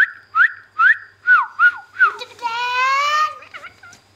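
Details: A pet talking rose-ringed (Indian ringneck) parakeet gives five quick rising whistled notes, then a long harmonic-rich, voice-like phrase and a few soft chirps.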